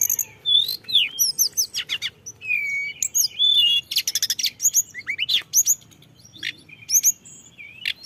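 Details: Flowerpecker song prepared as a lure, rich in fill-ins: high upslurred whistles, a sustained flat note, fast buzzy trills around the middle, then scattered sharp tsip notes.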